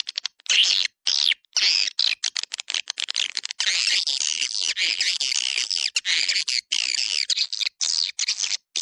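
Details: Swiftlet lure call of the 'Dua Bidadari' type, used to attract swiftlets in a central swiftlet area: dense, continuous high twittering chirps and buzzy trills, broken by brief silent gaps.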